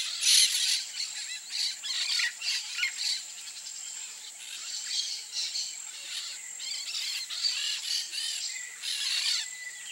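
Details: Peach-fronted parakeet giving harsh, buzzy screeching bursts in quick, irregular series of short chattering notes, over a steady high-pitched insect drone throughout.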